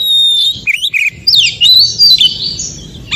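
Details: Forest-recorded Oriental magpie-robin song used to stir other magpie-robins into singing: a long high steady whistle, a few short slurred notes, then a fast twittering rising phrase.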